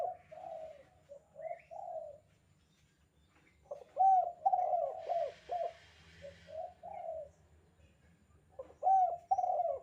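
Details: Calling spotted dove in the 'kuk 2' style, kept as training material for other doves: repeated soft low cooing phrases in bursts with short gaps, one louder rolling series midway, a brief hiss of background noise, then more coos.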